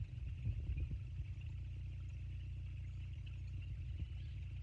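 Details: Steady low engine rumble with a deep idling drone, like a nearby vehicle or boat motor, and a faint hiss; no animal voices stand out.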